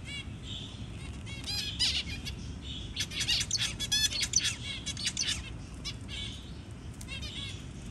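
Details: Zebra finch parent feeding a newly hatched chick; loud, rapid bursts of chirps and nasal buzzy notes, densest in the middle, fading toward the end, with faint low hum.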